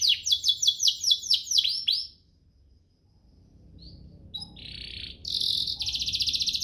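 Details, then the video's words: Canary song for tutoring young birds and prompting singing: a run of quick repeated downslurred notes for two seconds, a pause, then short chips and dense buzzy trills near the end. "Cengkoknya MEWAH, Efektif buat Masteran kenari paud dan pancingan kenari biar gacor"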